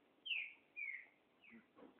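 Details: Loose chopi blackbird gives two clear downslurred whistles and then a softer third, with a low murmur underneath.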